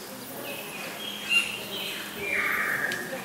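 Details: Lesser whistling duck pair with chicks in an aviary at Walsrode bird park, Germany: a few thin whistled notes, one long slurred whistle falling then levelling near the end, over a steady hiss of background noise.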